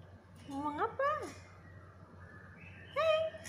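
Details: Black-capped lory producing a run of speech-like syllables that climb and then drop sharply. After a pause comes a final bright, level, voice-like word, over a faint background hum.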